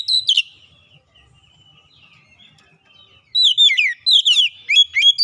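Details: Oriental magpie-robin used as a lure bird sings a sweet whistled phrase, falls to faint soft notes, then bursts into a rapid run of varied high whistles and slurs.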